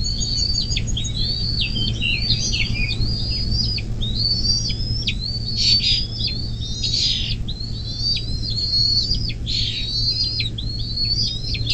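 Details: Nest-camera recording of a Bald eagle, Little Miami River, southwest Ohio, USA, 24 May 2024, 10:12: a continuous series of shrill whistled chirps, rising then snapping down, strung closely together, with a low hum underneath.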